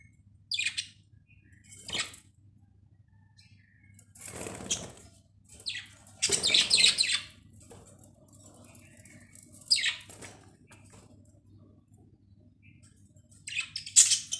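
Budgerigars give sharp, high chirps at irregular intervals, with bursts of fluttering wings between them.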